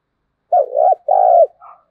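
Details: Spotted dove giving its 'thúc gù' urging coo in the 'thổ đồng' field voice, used as a lure so wild doves call back: two loud, low, drawn-out hollow coos with a short softer note after, against a silent background.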